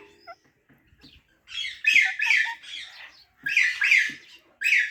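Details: Faint soft clicks at first, then loud paired raspy parrot chirps in quick clusters separated by brief pauses.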